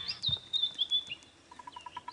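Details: White-browed Scrub Robin singing at sunrise on an African morning safari drive, August 2016: high, thin whistled phrases sweeping and slurring for about a second, then a quick even run of lower notes; a bearded woodpecker taps alongside.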